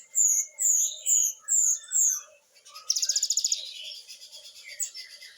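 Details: Gacor great tit (gelatik batu) with 'nembak' fill-ins: five clear, high, down-slurred whistles spaced about half a second apart, then a fast, sharp rattling trill fading into softer chatter.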